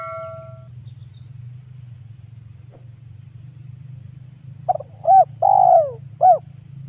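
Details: Spotted dove lure call, recorded in 2022 for drawing in wild doves to trap. After a brief tonal beep and several seconds of steady low hum, one coo phrase ends the clip: a clipped note, a short coo, a long falling coo and a final short coo.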